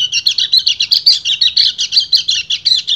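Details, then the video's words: Male white-eye in breeding condition calling to a female with a long 'ngebren' song: dense, high, rapid twittering chatter, pulsing in quick bursts about every quarter second, with a faint low hum beneath. "PLECI GACOR NGEBREN - KECIAL KUNING BIRAHI MEMANGGIL BETINA"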